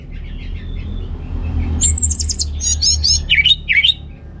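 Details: Gacor song from an orange-headed thrush in Singaraja, Bali, meant to rouse males lacking breeding drive: soft faint notes building into a high rapid trill, buzzy repeated phrases and deep V-shaped swooping whistles over a low hum.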